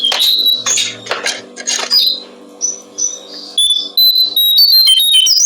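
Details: Brown-streaked flycatcher song recorded for training songbirds: high, thin whistled notes and rapid chirps with some harsh buzzy bursts early on, then sustained sliding whistles; steady low electrical hum throughout.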